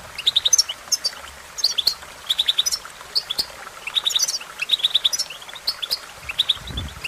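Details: Goldfinch song used for training: bursts of rapid, liquid twittering notes in short clusters about every second, high and tinkling, with a faint low rumble near the end.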